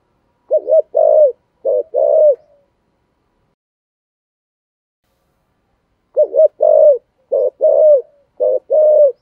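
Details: Spotted dove, 'thổ' voice style, calling to lure wild birds. Two bursts of three quick paired coos, short burred notes alternating with drawn-out mellow ones. The bursts are separated by about three seconds of silence.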